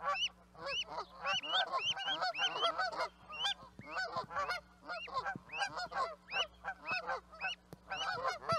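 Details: Canada geese in a noisy flock, honking continuously: many overlapping nasal honks with rising-then-falling inflection, some higher and sharper, crowding together with hardly a pause throughout.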